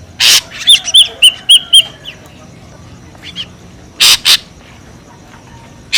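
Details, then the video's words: Ashy drongo, a noisy lure call: two loud harsh rasping bursts, then a run of five clear whistled notes about a quarter second apart, followed by quieter soft notes and three more harsh bursts near the end. "SUARA PIKAT SRIGUNTING RIBUT | SUARA PIKAT SRIGUNTING ABU ABU"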